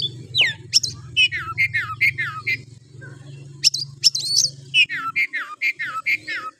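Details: Harsh, steady-singing oriental magpie-robin, played to arouse other males. Sharp upward notes mixed with repeated slurred phrases falling in pitch, in two runs, over a constant low electrical hum.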